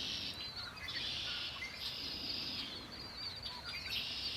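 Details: Birds singing by Lake Erie: a dense, continuous chorus of high, thin chirps and twittering from several overlapping birds, steady throughout with no pauses, over a low, even hiss of background noise.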